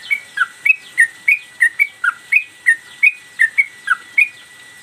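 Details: Caged Sooty-headed Bulbul singing vigorously in the steady 'gacor' style while working its tail, recorded as a master for training cage birds: clear whistled notes, alternately rising and dipping, about three per second, over a faint steady hum.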